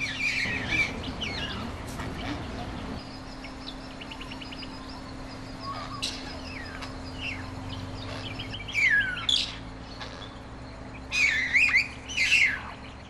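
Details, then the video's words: A male grey bowerbird, which builds a decorated display bower to attract a female, gives harsh, squeaky chatters and sharp churring bursts in irregular clusters, with other small chirps and a steady low hum behind. "Prieelvogel - Bowerbird"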